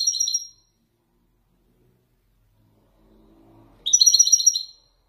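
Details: Captive Moroccan wedani European goldfinch performing authentic Marrakech-style descending song phrases: two short bursts of bright, tinkling, twittered notes separated by silence, with faint low rumble between.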